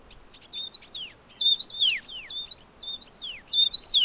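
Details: High, lively whistled phrases from a Taiwan yuhina feeding hungry chicks, delivered rapidly and almost overlapping, each a level note, a short rise and a sweeping downward slur, five or six in four seconds.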